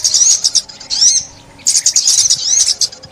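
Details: High-pitched sunbird song from 2021, linked to trapping: two bursts of quick metallic twitters with rising and falling slurred notes, separated by a quiet gap of about half a second.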